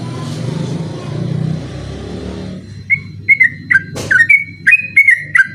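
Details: Yellow-vented bulbul singing at night in the persistent rapid 'ropel' style, recorded as a tutor song for other birds. Low rumbling noise fills the first half, then quick bubbly whistled notes follow in a rapid, uneven burst with one sharp click.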